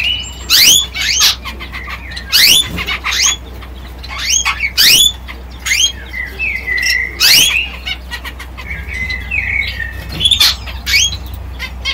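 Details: Male yellow canary singing a melodic song: bursts of sharp, rapidly rising chirps and brief high trills, repeated about every two to three seconds, with a few softer notes between bursts and a steady low hum beneath.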